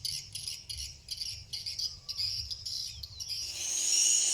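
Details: Swiftlets flying around the roof of an eleven-month-old bird's nest house on a swiftlet farm in Cambodia give high, dry chattering chirps in quick broken bursts, ending in a thin, steady high-pitched trill.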